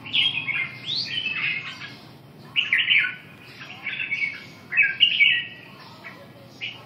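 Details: Red-whiskered bulbul singing short bursts of bright, liquid whistled phrases with quick rising and falling notes, about four phrases separated by brief pauses, in a quiet setting.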